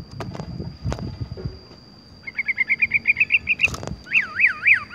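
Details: Horsfield's bush lark rolling song: after some clattering knocks, a fast even trill of short chirps, then bouncing, wavering whistled notes.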